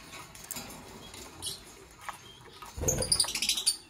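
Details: Fischer's lovebird of the parblue violet colour form, beside a pastel green opaline bird, in the morning: after quiet scratching, a quick run of sharp, high, squeaky chirps in the last second, repeated several times per second.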